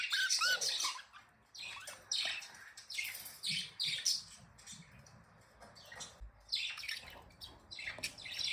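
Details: Happy, playing budgies chatter in quick scratchy chirps and short rising whistles, coming in bursts with brief quiet gaps between them.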